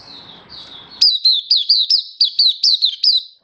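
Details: Oriental white-eye, a caged hobby bird, singing: after a second of hiss, a rapid run of high, thin, sweet whistled notes, each sliding down then up, about ten in quick succession, clear and bright.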